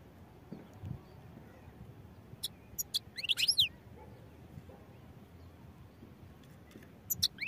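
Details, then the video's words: European goldfinch singing: short bursts of bright, high twittering notes with quick up-and-down sweeps near 3 seconds and again at the end. Long quiet gaps between them, over a steady low rumble. "goldfinch songs | goldfinch singing"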